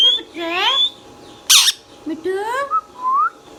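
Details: Talking green Indian ringneck parakeet, pet bird, uttering speech-like harmonic phrases that swoop and rise, broken by a harsh noisy burst, then ending in short whistled upslurs.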